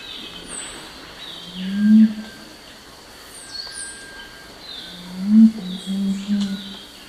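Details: A crestless curassow gives its low nocturnal humming song: two brief groups of deep muffled hums, the second a cluster of three, against constant hiss and thin high chirping.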